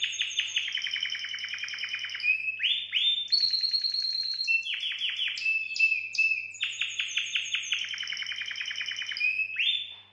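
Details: Canary song for mating, aimed at stirring females: continuous rapid trills in fast pulses, with short steady whistles and buzzy rolls that alternate without pause over about ten seconds.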